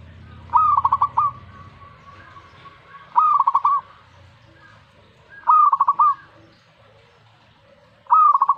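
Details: Reacting to a master recording, a zebra dove repeats its song four times about every two and a half seconds. Each phrase is a rising coo, then a fast, evenly stuttered run of warbling notes. A soft low murmur sits behind.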